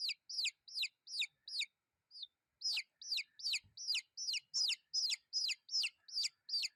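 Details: Chicks cheeping rapidly, high descending peeps in quick succession, a short pause and one lone note near two seconds, then a renewed steady run with a dull knock in between.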